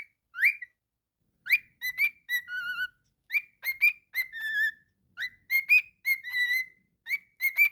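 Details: Pet cockatiel vocalising in short whistled bursts. Sliding, rising and falling notes are broken into quick syllables, with pauses of about a second between phrases.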